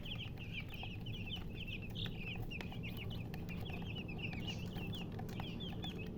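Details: Bright, shrill chick peeps in pairs and triplets, each note bending up then down, repeating roughly twice a second above low mechanical rumble.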